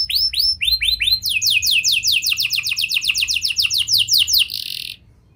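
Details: Singing canary in prenjak and lovebird song style, meant to spur reluctant canaries to sing: a few slow arched whistles, then a long rapid trill of descending sweeps that stops abruptly, leaving near silence.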